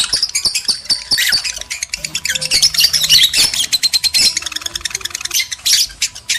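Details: Breeding-stimulation sound of male and female lovebirds: a continuous stream of fast, shrill chirps and squawks, clicking pulses throughout, faint steady tone beneath.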